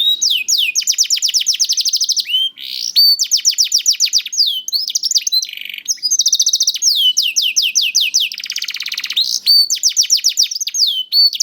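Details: Juvenile canary performing continuous song to stimulate hesitant canaries: repeated fast trills of sharp downslurred notes broken by short whistles and a buzzy passage.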